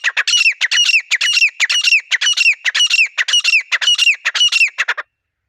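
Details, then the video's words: Wild grey francolin pair calling in a natural setting, a pair-bonding exchange: harsh, squawky notes repeated rapidly, close to two per second, in a steady chattering run for about five seconds, then silence. "Teetar Juri Ki Awaz | Desi Teetar Calling | Wild Teetar Pair Voice"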